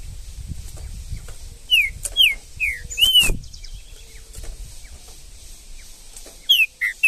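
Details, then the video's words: Wild green-winged saltator in the bush: four spaced downslurred whistles, a pause with low background rumble and a thump, then two more whistles near the end. "MUITA FIBRA trinca ferro no mato"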